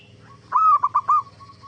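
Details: One soft, rippling coo phrase from a zebra dove in full song, used to lure other zebra doves into answering: a sustained opening note followed by three clipped notes, with quiet trilling before and after and a low hum behind.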